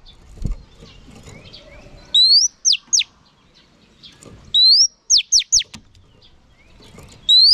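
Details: Female oriental magpie-robin used to rouse males. Phrases of an upswept whistle followed by three or four sharp, downward-sliding notes repeat with pauses, over soft background noise and a faint thump.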